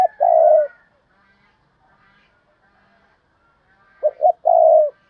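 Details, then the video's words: A spotted dove used as a decoy, 'thúc bổi' calling to attract wild doves. A clipped coo opens, then after a quiet gap comes a full phrase: two quick low notes and a long sustained coo. Faint birdsong lies behind. "tiếng cu mồi thúc bổi, cu gáy mồi cây"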